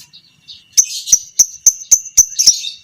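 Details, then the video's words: Lovebird of the fighter type as masteran for long ngekek training: after quiet soft notes, a run of sharp high chips about four per second with buzzy tails, rising in intensity. "Masteran Burung Lovebird Fighter Ngekek panjang - Suara Burung lovebird"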